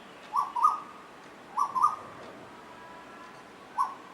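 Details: Two Asian koels singing while playing with each other: paired whistled notes repeated about a second apart, followed after a pause by one more single note.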